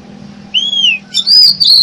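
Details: Used for bird trapping, this oriental magpie-robin lure song opens with a clear arched whistle, then strong, high whistled notes in two quick bursts over a steady low hum.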